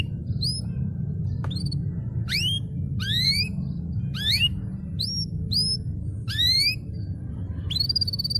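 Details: Canary master audio meant to start silent birds singing: scattered short rising whistled notes and slurred upswept chirps at irregular intervals, ending on a longer level whistle, over low background hum.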